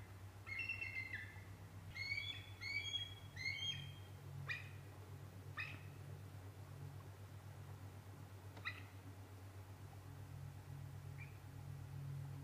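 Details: Bald eagle chase involving a sub-adult at the Decorah North Nest, early afternoon of December 8, 2017: a quick run of squealing, stuttered piping notes, then scattered single sharp yelps fading out, with background hum.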